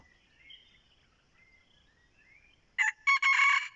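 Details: Red junglefowl used as a decoy for luring wild junglefowl, giving a short, harsh, broken crow of three quick bursts near the end, after a quiet stretch of soft whistles from other birds.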